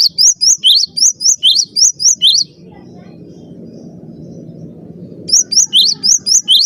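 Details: Cinereous tit singing, a master track to coax trained birds into song: a quick burst of ringing two-note whistles, then a roughly three-second lull filled only by a low murmur, before the repeated sharp phrases resume.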